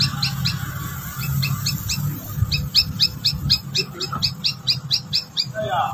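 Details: Outside bird, named as a rufous-tailed robin competing with caged ones, repeats short high doubled notes about twice per second in a steady series. A low rumbling background and a brief warble come at the end.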